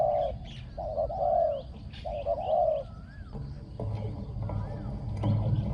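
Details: Spotted dove used as a decoy bird on the ground in Thailand, described as having a small, ringing voice that coos very well. Low, mellow coos come in short phrases. Faint chirps of other birds and a low rumble sit behind.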